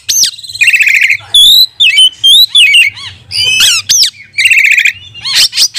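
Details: Oriental magpie-robin lure song for training rival magpie-robins: rasping buzzy bursts alternate with pure whistled slurs and descending notes, delivered loudly and varied, over a soft low hum.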